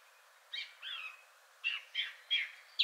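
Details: A third male Song Thrush gives a richer song, some sounds recalling a nightingale: a few separate, varied whistled and slurred notes at about half-second gaps, over a faint low hiss.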